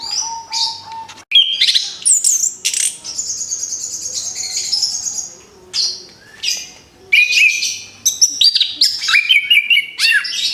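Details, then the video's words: Orange-headed thrush, a caged bird fresh from its moult. Sharp high chips and long buzzy trills sound in bursts separated by short silences, with thin whistled slurs between them. "TERAPI ANIS KEMBANG BARU LEPAS BULU, SIAP BUKA PARUH LAGI"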